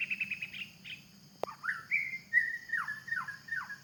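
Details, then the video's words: A wild white-rumped shama in forest gives a quick high trill, a sharp click, then a run of clear whistled notes that slur sharply downward, over a steady insect hum. "the sound of birds in the forest.wild white rumped shama"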